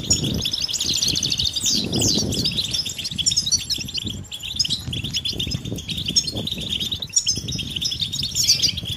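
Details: Group calling of European goldfinches, mating calls intended to excite males and start them singing; steady crowded high-pitched twittering with bursts of fluttering and rustling noise underneath.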